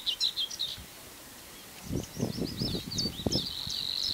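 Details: Savi's warbler singing: scattered high chirping notes settling into a fast, even, insect-like reeling buzz near the end, over low rumbling thumps.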